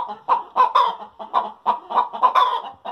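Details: Backyard hen's egg-laying cackle: emphatic, rasping clucks delivered in a steady rhythm of about three per second, each note loud and abrupt, with brief pauses and no other noticeable sounds.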